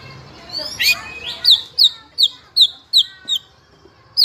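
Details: Juvenile white-rumped shama singing as a lure and tutor sound to rouse other young shamas; a rough opening, then thin, high, downslurred notes repeated roughly every third of a second.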